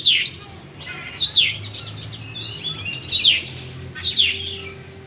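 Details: Oriental magpie-robin singing as a lure for a stressed bird that has stopped singing: rich downward-swooping whistled phrases in four loud bursts about a second apart, separated by softer twitters, with a low background hum.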